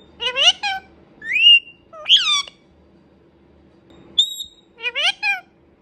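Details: Pet Indian ringneck parrot talking in short word-like bursts, with a rising whistled phrase, a sharp sweeping syllable, a flat clear whistle after a pause, and a final voice-like phrase.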